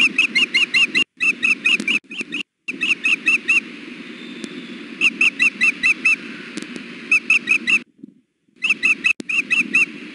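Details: Persistent food-begging from a nesting female osprey, Hellgate, June 2016, 93 degrees. Repeated bursts of five to eight high, quick chirps come every couple of seconds, broken by brief dropouts in the recording.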